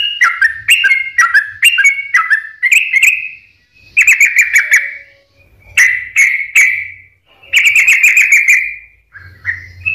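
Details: Sooty-headed bulbul, a lure recording meant to set sluggish or stressed birds singing: bright whistled and chattering phrases around mid-high pitch, delivered in bursts separated by short pauses, with faint low thumps beneath.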